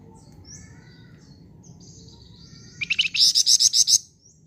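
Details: Flamboyan bird in lively song. Faint scattered high whistles lead to a loud, rapid volley of about ten sharp, buzzy chirps delivered within a second.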